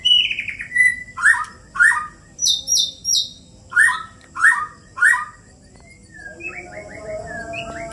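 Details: White-rumped shama from Borneo, Indonesia, in a fight between two birds: loud separate phrases repeating about every half second, sweet downslurred notes near the middle register alternating with high thin whistled trills, then softer chatter at the end.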